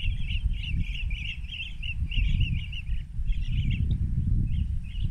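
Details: Several rufous-crowned bee-eaters at Banna, Ilocos Norte, Philippines, on an afternoon in March 2021, taken with a phone through a spotting scope: bursts of rolling, burry trills in quick runs, with a gap, over heavy low rumbling noise.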